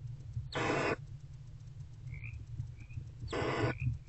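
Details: Barn owl mother and older owlet bonding in a nest box before dawn, 20 February 2024, around 4:41 am; two soft, breathy hissing bursts about three seconds apart over a low background hum.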